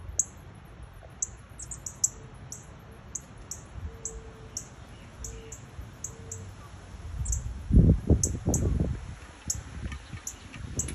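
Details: Northern cardinal nestlings by a home's front door with adults close by: a rapid, uneven series of high, thin chips, about three per second, then a burst of low rustling and handling noise partway through.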